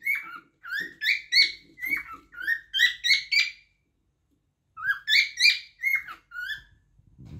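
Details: Song of a cockatiel: a quick run of about eleven clear whistled notes, rising and falling, then over a second of silence before six more notes. Faint knocks sound underneath.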